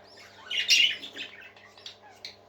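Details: Parakeet chattering indoors: a bright, buzzy warble with a few scratchy chirps peaking in the middle, then softer thin tweets, over a steady low electrical hum.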